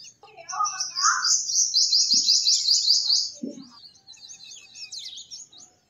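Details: Purple sunbird singing: a few lower warbled notes, then a high, thin, rapid trill of evenly spaced notes lasting about two seconds, followed by softer scratchy high twittering.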